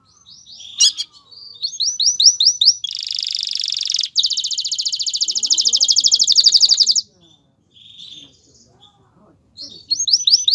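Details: A male Belgian canary sings loud, high phrases of repeated chirps, then long fast rolling trills with brief pauses between bursts. The song is meant to ready a female for mating and prompt her to build a nest.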